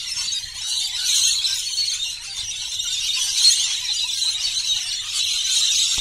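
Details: More than 100 lorikeets gather at the daily bird feeding at Burrill Lake, near Ulladulla, New South Wales, while a child plays among them. An unbroken wall of shrill, squealing chatter from the crowded flock, swelling and easing slightly without pause.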